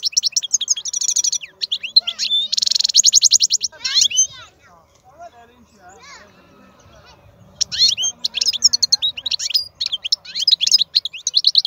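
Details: Wild-caught European goldfinch singing bursts of bright twittering and a buzzy trill, broken by a quieter middle stretch with faint low background sounds before the quick chirping song resumes.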